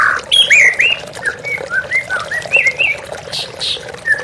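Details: White-rumped shama singing against running water in a therapy recording: a loud opening burst, then a steady series of short whistled notes, with brief high notes near the end.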